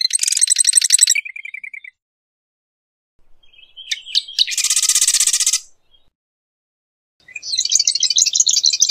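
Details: Marsh wren song in three phrases: a stuttering high trill fading into softer repeated notes, then scattered clicks building into an intense buzzy rattle, and a new jittery trill beginning at the end.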